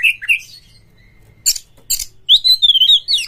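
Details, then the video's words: Kacer, or Oriental magpie-robin, singing a lure recording meant to excite breeding birds into song: slurred whistles, two sharp broadband clicks, then a bright rising-and-falling warbled phrase with rapid notes at the end. "SUARA PANCINGAN BURUNG KACER"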